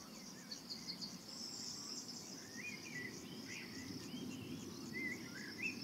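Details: Eurasian golden oriole at its nest site in Bulgaria, June 2019, recorded from a hide with a Sony FDR AX 700 camcorder: short fluty whistled phrases, rising and falling, over a steady high insect buzz and low background rumble.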